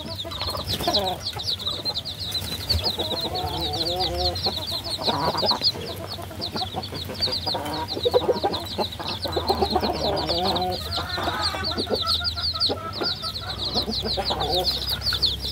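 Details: A large group of baby chickens chirping nonstop: a thick band of high, rapid downslurred peeps, with quieter lower trilling calls and scratching sounds in between.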